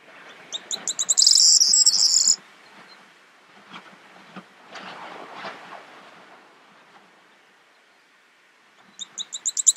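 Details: A corn bunting (Emberiza c. calandra) in the Crau, France, in May 2018 gives a high, dry jangle: quickening ticks running into a glassy, rattling jingle, heard twice over faint background noise.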